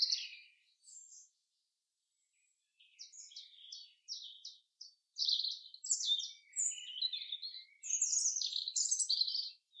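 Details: Common chaffinch in the forest: after a short pause, a series of evenly spaced chipping notes builds into dense, loud, high twittering phrases lasting several seconds.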